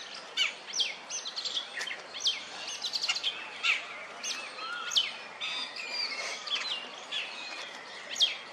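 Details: An Oriental magpie-robin perched on a wooden stump, ruffling its feathers, gives a courtship call to attract females: a varied run of sweet, high whistles and chirps, several each second, some sliding up or down, over soft outdoor hiss.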